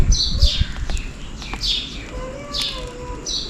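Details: Sparrows calling for food on a rainy day: a few bright, short chirps sliding down, spaced irregularly, over a steady low rumble of rain.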